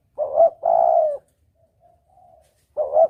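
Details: Spotted dove call used to lure birds, double 'kuk' style: a clipped two-part coo, then a long, even coo and faint soft notes, before the next doubled coo begins.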